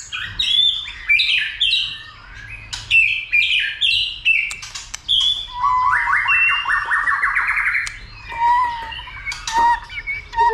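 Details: White-rumped shama stirred to sing and fight: rapid varied whistles and clicks, then a fast rising trill, followed by low repeated whistled notes.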